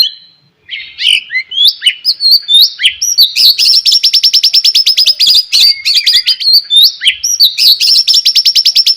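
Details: White-rumped shama song in the morning, played to get other shamas singing: loud, varied whistled slurs leading into long, fast rattling trills repeated again and again, bright and high-pitched.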